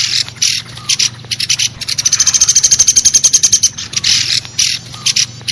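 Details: Trapping lure sound of the pelatuk besi woodpecker: loud sharp bursts of high notes, then a fast regular run of rattling pulses with a thin sustained whistle above, ending in scattered harsh bursts.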